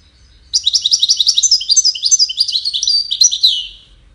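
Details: Melodious goldfinch song, part of courtship and communication behaviour: after a brief quiet start, a lively cascade of high tinkling and twittering notes, with a few drawn-out slurred tones near the end.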